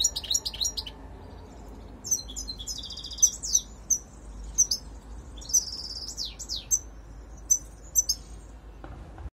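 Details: European goldfinch used as a lure, delivering short tinkling twitters, a buzzy sustained phrase and down-sliding liquid notes spaced across the recording, with low background rumble.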